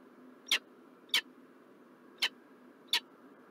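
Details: Peregrine falcon calling at Montreal, Canada, on 4 November 2023: four short, sharp, high chipping notes at uneven intervals over a steady low hum.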